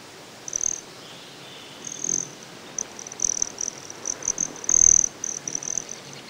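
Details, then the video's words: Broad-tailed hummingbird at Great Sand Dunes, Colorado: short, very high, thin buzzing trills come in bursts, some brief and some longer, at irregular gaps of under a second over a quiet background. "Broad-tailed Hummingbird | Nature Sounds"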